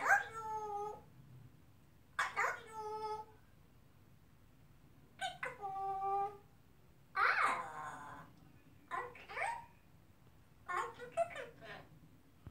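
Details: Three-and-a-half-year-old male African grey kept as a pet, imitating speech such as "I love you". Six separate rasping, speech-like utterances with rich harmonics, some smooth and some breathier, spaced a second or two apart in a quiet room.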